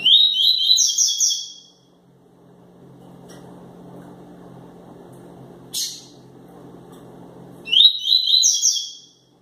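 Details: Double-collared seedeater ('quente') in tui-tui song: fast buzzy whistled phrases open and close the passage, with one sharp high chirp between them and a quiet low hum throughout.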